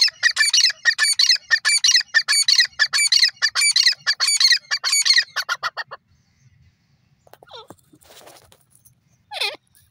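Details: Grey francolin, known locally as sindhi teetar, calling: loud, harsh, strident phrases repeated about twice per second in a steady rhythm for six seconds, then fading to near silence with a few faint, scattered bird notes.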